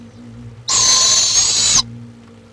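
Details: Barred owl in Florida, recorded on a live stream on 23 March 2015: one harsh, hissing screech lasting about a second, steady and rasping, ending abruptly, with a faint low hum before and after.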